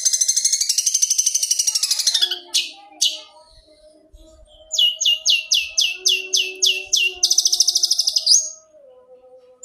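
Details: Long-tailed shrike training song for captive birds: a rapid buzzy trill, two sharp clicks, then a string of clear downslurred whistles about three per second, ending in another fast buzzy trill, with a faint low tone behind.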